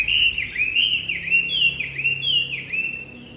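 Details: Bob-tailed Chinese Hwamei, a very tame cage bird, repeating clear whistled swooping notes that dip and rise, roughly one phrase every 0.7 seconds, in a steady loud sequence with a faint low hum behind.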